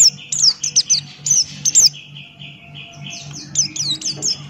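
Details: Male Buxton's white-eye singing vigorously in ngalas style, beak open: rapid strings of high, sharp downslurred whistles, a softer warbling pause, then another fast burst, over a faint low hum.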